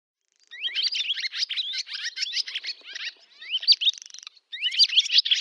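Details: Barn swallow singing in summer at a village in Novgorod oblast, Russia, recorded 8 August 2013: rapid twittering chatter of upslurred chirps and short notes with a brief buzzy rattle near the end, then more chirps.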